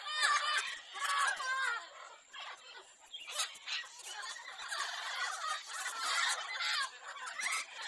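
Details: Dense, continuous chattering of lorikeets, a pet bird's favourite parrot noise: overlapping shrill squeaks and screeches rise and fall without pause.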